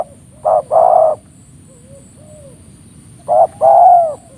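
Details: Spotted dove cooing in the morning beside a decoy used by a trapper in Indonesia, the wild bird's voice strong and crisp: two coo phrases, each a short note followed by a fuller drawn-out coo, faint soft notes between, constant hiss.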